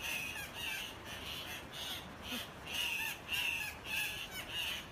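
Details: Guianan cock-of-the-rock (Rupicola rupicola), a bright orange South American bird of Guyana and surrounding countries, giving harsh, nasal squawks, about eight in five seconds at an uneven pace, over a steady rushing background hiss.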